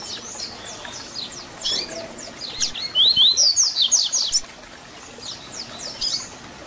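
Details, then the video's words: Papa-capim, or double-collared seedeater, in 'Tui Tui Zel Zel' fibra song meant for tutoring young birds: soft high strokes build into a loud burst of rising whistles and quick downslurred notes, then fade. "Papacapim Tui Tui Zel Zel Canto FIBRA para Encarte!!!"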